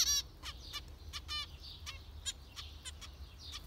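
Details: Nasal, trumpet-like zebra finch calls, one loud opening beep followed by scattered shorter calls over about three and a half seconds.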